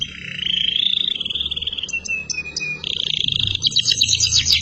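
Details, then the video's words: Canary song for teaching young canaries: long wavering whistled tone, a lower steady whistle, then a buzzy rolling trill breaking into quick high chirps; faint low hum beneath. "Burung Kenari gacor || masteran kenari durasi panjang"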